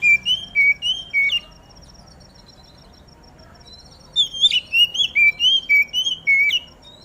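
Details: Oriental magpie-robin singing in the morning dew to make other magpie-robins sing: a few rising and falling whistles, a pause, then a lively run of about ten clear, slurred whistled notes over a faint steady high tone.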